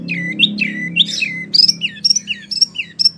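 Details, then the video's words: Wambie mini song used to tutor prize birds: squeaky, sliding whistled notes that swoop up and down, sounding sharper toward the end, over a steady low hum. "wambie mini super gacor"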